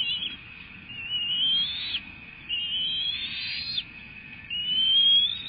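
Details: Bald eagles at a nest in Florida during feeding, 05/03/2024: three thin, high whistled calls that rise steadily and end abruptly, spaced about two seconds apart, over a constant steady background tone and low rumble.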